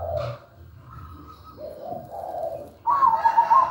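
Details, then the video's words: Zebra dove (perkutut) singing in the manggung style. Soft, low coos and a drawn-out higher note are followed by a sudden loud, quavering trilled phrase with rapid beats. Faint hiss and a brief higher chirp are also present. "MEWAH PERKUTUT GACOR SUARA MERDU"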